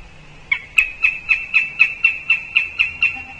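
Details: Northern goshawk at the nest tree in Riga, 20 October, during a visit by the female. After a brief quiet start, a quick, even series of about eleven loud, nasal cackling kek notes repeats roughly four times per second.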